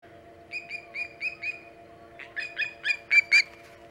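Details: Osprey calling at dawn, 5:37 am EDT on 13 August 2019, while arriving at a nest on Hog Island. A faint start gives way to repeated whistled chirps, first evenly spaced, then louder, sharper and quicker toward the end.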